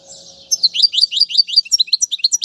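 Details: Goldfinch song for training chicks: after a faint hum, a run of quick, high, sharply rising twittered notes, about seven per second, bright and clear.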